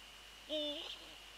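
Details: Eurasian eagle-owl close to its nest on the night of 13 January 2014 at 21:05, during a prey transfer: one short, steady, tonal note, faint and low, over a constant high hum.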